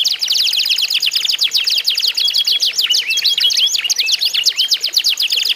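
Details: Canaries singing in a contest of loud, full songs, meant to prompt other canaries to sing: rapid dense trills of sharp high chirps, continuous throughout, with occasional rising whistled notes and no other sounds.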